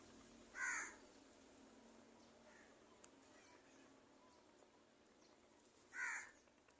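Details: An angry crow giving two harsh, short caws about five seconds apart, with a faint call between them, over a quiet, steady background hiss.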